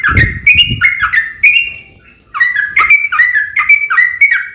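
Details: Yellow-vented bulbul in fighting song, meant to provoke rivals to answer: a few bright whistled notes over a low thump, a near-silent pause of about a second, then a fast string of chirpy whistles.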